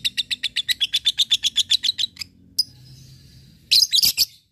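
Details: Lovebird ngekek meant to provoke rival birds: a steady run of rapid, shrill, evenly spaced notes, about six per second, then a single sharp chirp and a closing burst of harsh squawks.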